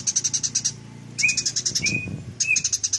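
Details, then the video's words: Eurasian tree sparrows fighting: three short bursts of quick, harsh, pulsed chirps, with clear upslurred squeaks between them and a low muffled rumble underneath. "SUARA BURUNG : Masteran gereja tarung durasi panjang"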